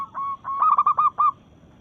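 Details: Single phrase from a local zebra dove in breeding mood challenging rivals: a soft drawn coo, then five quick, throaty, bubbling notes.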